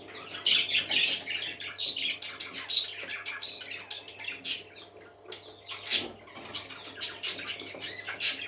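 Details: Parakeets singing in lively bouts, bright piercing chirps punctuating a continuous warbling chatter, with a brief quieter gap and a low hum beneath.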